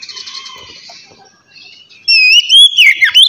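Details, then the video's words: Oriental magpie-robin in the relaxed ngeplong song style, used to get untrained magpie-robins singing. A soft, fading stretch gives way after two seconds to a loud, clear whistled phrase with wavering and sweeping notes. "kacer ngeplong santai ampuh merangsang kacer bahan agar cepat bunyi"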